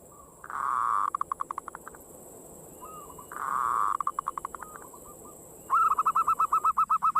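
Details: Local zebra dove singing in the fast single ngayer style, used as a lure to stimulate other birds to sing: a drawn-out buzzy note breaks into rapid staccato pulses, repeated twice, then a brighter quick series; a steady high hum throughout.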